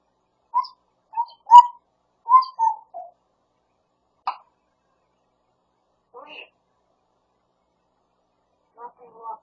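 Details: Talkative pet grey parrot imitating speech and other heard sounds, uttering a run of short voice-like syllables in a quick burst, then a few scattered clipped sounds with pauses between, in an otherwise quiet room.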